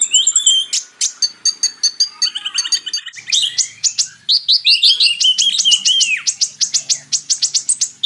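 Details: Purple-throated sunbird (kolibri ninja), a species of forest edges up to 200 m, rubber plantations and coasts, in a training recording for magpie-robins: dense, rapid high twittering with sharp chirps, trills and short slurred whistles, sung almost without pause.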